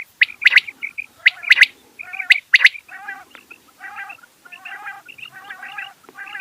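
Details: Rain quail (batair, bedana) calling: harsh, buzzy, stacked notes repeated about once a second, mixed with sharp, high, upswept chirps that cluster near the start.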